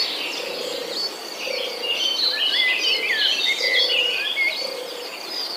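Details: Baby birds in the nest, mother gone to find food, keep up a dense stream of piercing cheeps and quick up-and-down whistles, rising to a busy peak midway, over a continuous buzzing background.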